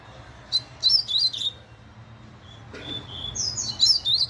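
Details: Very fast song of a chestnut-bellied seed finch, high twittering whistled phrases tumbling in rapid sequence, a brief pause, then another quick run of bright sweeping notes, with faint low hum beneath.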